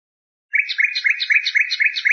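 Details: Common nightingale (Luscinia megarhynchos) song excerpt compiled as a tutor recording for teaching the Moroccan bulbul: a rapid rattling series of paired chirps, about eight per second, starting abruptly after half a second of silence, clean background.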